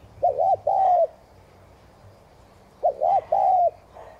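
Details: Spotted dove cooing in the thúc gù style, played to stimulate newly caught doves to coo: two phrases, each a short hiccuping double note followed by a longer, smooth, low croon, with a quiet pause between.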